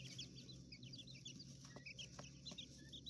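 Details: Coturnix quail chicks kept in an enclosure in a hotel room in a city: rapid overlapping high-pitched peeps, several birds chirping together in short clusters, over a constant low hum and scattered tapping.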